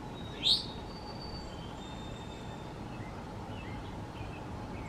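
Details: Eastern towhee foraging on the ground on a backyard lawn in the mountains of North Carolina at breakfast time, giving one short, high, bright whistled note near the start, followed by steady background hiss and faint thin tones.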